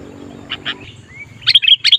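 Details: Sooty-headed bulbul calling as a decoy to attract wild birds: two soft chirps, a thin rising whistle, then a rapid cluster of loud, bubbly notes at the end.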